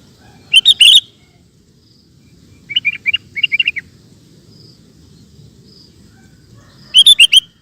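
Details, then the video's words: Sooty-headed bulbul in full voice, a recording for training caged birds: a loud harsh cluster of buzzy notes, two short groups of soft bubbly chirps, then another loud buzzy burst, separated by quiet pauses. "Suara Burung Kutilang Gacor Cocok Untuk Masteran"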